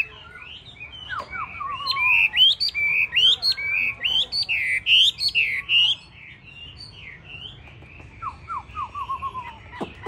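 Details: Song of a yellow-legged, yellow-billed, yellow-feathered hwamei ('tam hoàng'). Loud, rising whistled notes come in quick succession, and softer falling slurred notes open and close the strophe.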